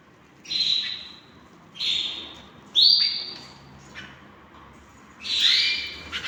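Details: Tame pet canary sings a series of drawn-out pure whistles, each bright onset sliding into a sustained tone, five phrases spaced unevenly over a few seconds, with a lower second tone joining the last one.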